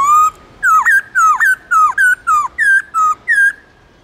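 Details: Central Highlands white-cheeked laughingthrush singing its long, clear 'forest voice' song used for training: a steady whistle followed by a rapid series of eight short, hooked and looping whistled notes in about three seconds.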